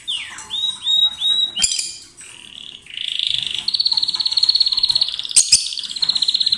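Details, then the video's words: Two lovebirds, a bonded pair kissing or sharing food, in loud song: a few sliding whistled squeaks, then a sustained rasping, pulsing buzz lasting several seconds, broken by two sharp clicks. "Gli inseparabili | 20minutes Love birds Sound"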